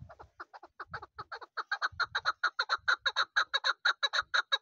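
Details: Young chukar partridge raised this season for hunting, calling a continuous chuk-chuk series lasting nearly five seconds that grows louder and more even as it goes, with soft low thumps underneath.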